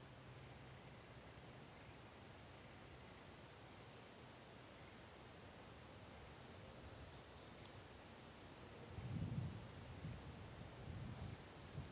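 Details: Steady outdoor rustling and low rumbling noise, like wind or distant weather, with a few soft thumps near the end and no animal calls.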